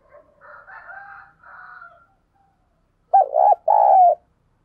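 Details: Spotted dove used as a decoy, calling to provoke wild doves; soft distant cooing and murmurs at first, then a loud close double coo with a bouncing first part and a long falling second note.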